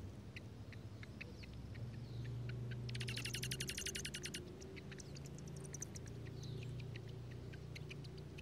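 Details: At a junco nest in a strawberry patch in Washington State, parents tend newborn nestlings in heavy rain; thin high chips lead into a loud, rapid buzzy pulsed burst of about a second and a half, with rain hissing throughout.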